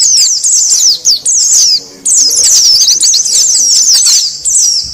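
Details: Noisy Oriental white-eye calls for luring wild birds: quick shrill downslurred chirps in rattling runs. A short pause breaks the first run, then a longer near-silent gap before a dense, jumbled second burst.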